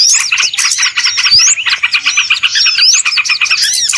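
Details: Small birds in a lure recording used for trapping birds: a dense, noisy chorus of many overlapping high chirps, with sharp rising whistled slurs standing out every second or so and rapid pulsed twittering throughout.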